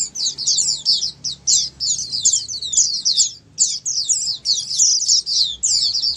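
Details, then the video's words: Chorus of several Oriental white-eyes meant to stimulate silent pet white-eyes to sing; rapid high twitters in strings, a clear gap near the middle, then the busy chattering picks up again. "Dengar Suara Pleci Ombyokan ini pasti nyaut burung pleci anda"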